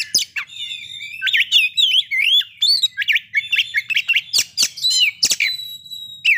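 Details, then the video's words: Magpie-robin song meant to stir breeding condition and aggression, a fast run of looping whistled notes and rising and falling slurs, mixed with scratchy chips and a few sharp clicks. "pancingan agar kacer capat birahi dan emosi terampuh"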